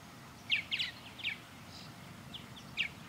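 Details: Purple martins circling a backyard birdhouse under a blue sky; a few short, gravelly chirps in scattered bursts, some doubled, with a soft background hum.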